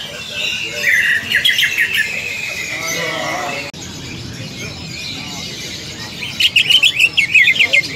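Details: Aggressive fighting call of a greater green leafbird, played to train rival leafbirds: a fast run of sharp high chirps, a pause with murmuring background sound, then another quick burst of rapid, evenly spaced high notes.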